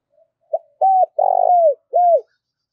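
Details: Decoy spotted dove cooing to lure other doves; one phrase of a brief clipped note, a steady coo, a long burred coo sliding downward, and a final arched hollow coo, against silence.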